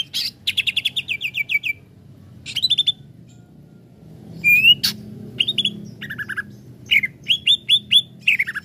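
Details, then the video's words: Greater green leafbird provoked into excitement: bursts of sharp, rapidly repeated high chips and short whistled slurs, some falling, delivered in quick volleys separated by brief pauses, with a faint low hum underneath. "CUCAK IJO lain cepat sekali emosi pancing c ijo ini"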